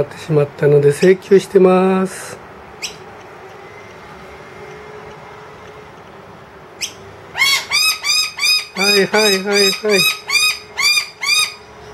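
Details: A wild noisy miner has brought its two young indoors and calls loudly for food because the feeder is empty. A few quick notes come first, then a pause, then a series of harsh, ringing calls repeated about three times a second.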